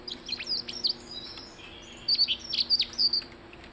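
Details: Blue-headed rock thrush with high, clear chirps and short whistles, a quieter first phrase followed by a louder rhythmic series of repeated sharp notes.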